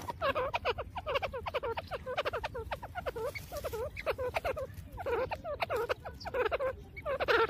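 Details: Grey francolin checking for food in jungle, giving a rapid, overlapping run of short, harsh, nasal notes, several per second in quick bursts, over a low rural background hum.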